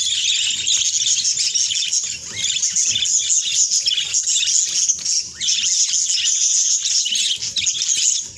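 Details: Budgerigars calling while being bathed: a dense, continuous, high warbling chatter of overlapping squeaks and chirps, with soft patter underneath and brief dips in loudness.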